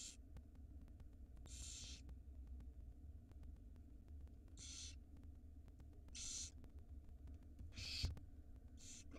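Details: Tiny barn owl nestlings on a live cam in Israel, feeding time: six breathy screeching hisses spread across nine seconds at irregular intervals, one sharp knock near the end, steady hum behind.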